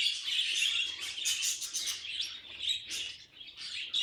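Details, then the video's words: Budgerigar as a pet making funny noises: bright, scratchy warbling and squeaks in quick bursts, with a short lull near three seconds and a return to chatter at the end. "Funny Budgie Noises Compilation"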